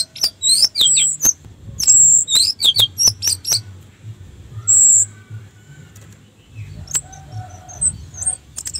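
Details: Orange-headed thrush song used as a lure to stir other thrushes into singing: rapid bursts of high, sharply swept notes and clicks, several long steady high whistles, pauses between phrases, faint low hum beneath.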